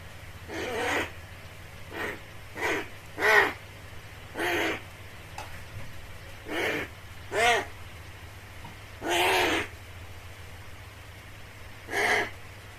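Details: A crow's cry that sounds like a baby's wail, heard in Japan: short harsh calls given singly at irregular intervals over several seconds, with a steady low hum behind them.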